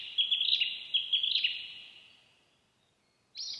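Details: Narcissus flycatcher in the wild, singing a fast run of sharp whistled notes that fades out, then, after a short silence, a new high whistled phrase begins.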